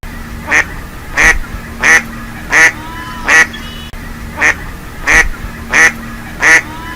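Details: Mallard (Anas platyrhynchos), quack.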